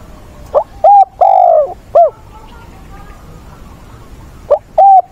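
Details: A caged decoy spotted dove in training, with an old bird guiding a younger one, gives short rising-falling coos, then a longer drawn coo and a pause. Two more quick coos follow near the end, over quiet background hiss.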